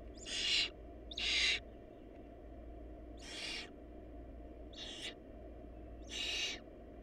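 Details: Hungry barn owl nestlings during a food shortage, their family having lost the smallest chick; five rasping hiss-screeches at uneven intervals, some louder and some fainter, above constant low-frequency background hum.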